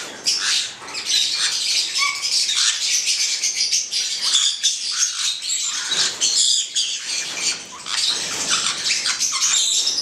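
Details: Pair of black-headed parrots, Caique melanocephala, giving a steady stream of shrill, grating squawks and chatter, with a brief clear whistled note near the start and small pauses between bursts.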